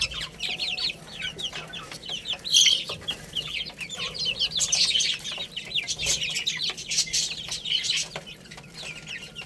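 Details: Baby chickens at play and feeding: many shrill, short falling peeps pile up in a busy chorus, punctuated by tapping and rustling noises.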